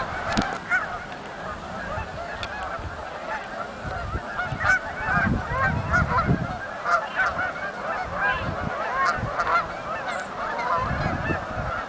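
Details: Many Canada geese flying in at Oak Hammock Marsh and Fort Whyte, their honking merging into a steady clamour that runs the whole length, with intermittent low thumps and wind-like rumbles underneath.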